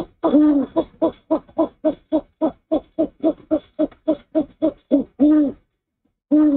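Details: Male owl at the nest after bringing a rat to his mate for breakfast, hooting while she preens his cheek, 04/06/23; a run of low, even hoots about a quarter second apart, then a pause and one more hoot.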